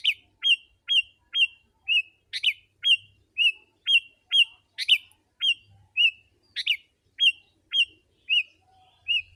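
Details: Vigorous sooty-headed bulbul song for luring wild birds: a fast, even series of short curled whistles, around two per second, broken now and then by loud rasping chatters; background otherwise quiet.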